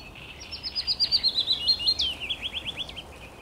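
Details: Willow warbler singing on 17 May 2021: a soft, sweet phrase of about a dozen rapid notes sliding gradually downward, broken by a brief upward flick near the end, then a few lower trailing notes.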